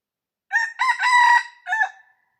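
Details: Red junglefowl rooster in the wild, 5 February 2025: a full crow of a short lead note, a long strained middle phrase and a clipped final syllable after a short pause, in clean quiet surroundings.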